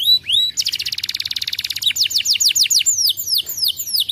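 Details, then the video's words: Canary song used as a lure to coax a canary that is reluctant to sing. A high rising whistle opens into a fast, dense trill, followed by a run of clear downward-sweeping whistled notes repeated several times a second. "pancingan Kenari malas bunyi"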